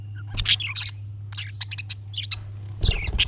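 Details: Budgerigar chatter, played so a pet budgie responds: quick bursts of bright, harsh chirps and short whistled notes in rapid clusters, with a low hum underneath.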